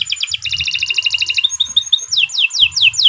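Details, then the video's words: Canary singing master song to train other songbirds: rapid stacked buzzy trill, a few thin whistled notes, then slow descending slurred whistles. "Kicau Burung Kenari II GACOR PANJANG Cocok untuk Masteran"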